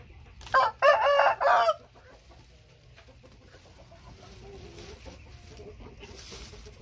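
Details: White-tailed Thai rooster crowing once: a loud, hoarse crow of about one second in three joined bursts, followed by quieter background rustling and faint farmyard noise.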